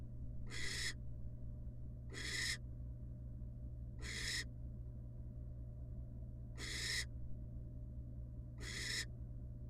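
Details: Barn owl, wild, in a nest box with her babies after casting a pellet. Five rasping, noisy screeches, each under half a second, come at roughly two-second intervals against a constant low hum.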